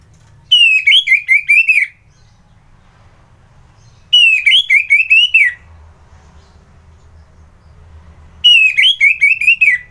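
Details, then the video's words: Orange-headed thrush (anis merah) singing in the morning at Kubutambahan in Singaraja, Bali; three rapid warbled whistle phrases, each about one and a half seconds with quick notes, repeated roughly every four seconds. "Merdu Kicauan ANIS MERAH Gacor"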